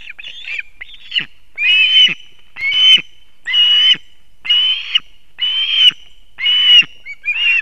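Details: Osprey chicks and adults at a nest in Kurzeme, Latvia, 3 September 2024 at dawn, male delivering two fish; loud shrill whistled calls in separate bursts roughly once a second, each a harsh, slightly descending squeal.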